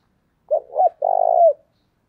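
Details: Decoy spotted dove cooing to lure wild doves: a brief low note, a hoarse wavering note, then a long throaty rolling coo that ends in a downward slur, given once in a quiet setting.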